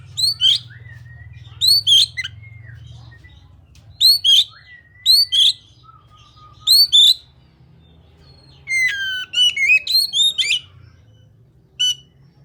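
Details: Oriental magpie-robin song: sharp, high downward-sweeping whistled notes in pairs, repeated every second or so, then a faster burst of varied chirps and whistles, over a low steady hum.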